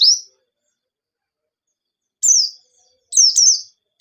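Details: Sparse white-eye song meant to lure other birds into singing: a single high chirp, a long silence, then a falling whistled note and a twisting double chirp.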